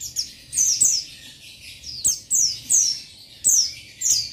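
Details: Challenging a rival male, an Oriental white-eye of the buxtoni subspecies utters repeated high, descending chirps in pairs and triplets with short gaps.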